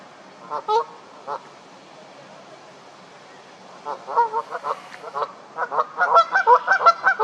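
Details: Canada geese honking loudly while getting into a fight: scattered harsh honks early, then after a quiet gap a rapid, dense burst of overlapping nasal honks building toward the end.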